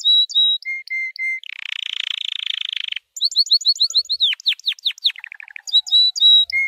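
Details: White canary training song: clear high whistled notes in pairs, a buzzy fast trill, a run of rapid downward-slurred chips, a rattling roll, then more paired whistles.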